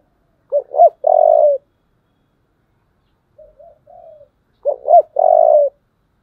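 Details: Spotted dove giving a fighting call in the low 'giọng thổ' voice style: two short rising coos then a long level coo, phrase repeated after a pause of about three seconds, soft faint coos between, clean quiet background.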